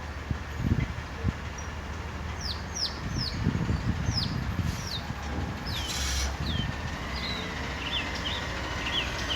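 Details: Mockingbird of the northern species, singing from a pear tree in Salinas, California and copying other birds; a string of sharp downslurred whistles, one every half second or so, then softer upslurred notes, over low background rumble.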